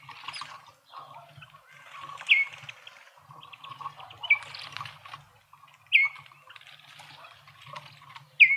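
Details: At a garden feeder in suburban Pretoria, South Africa, feeding Speckled mousebirds give a loose series of four clear descending whistles set against constant scratchy twittering from the group.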